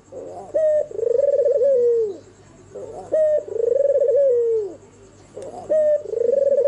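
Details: Night-time cooing of a white, red-eyed albino turtle dove: a steady cycle of three low rolling coos, each introduced by a sharp rising note and ending in a falling slur, evenly repeated.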